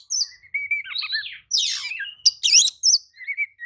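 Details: Oriental magpie-robin responding to another magpie-robin: twittering whistles interrupted by loud harsh rasps and buzzy screeches, closing with a repeated short chirp.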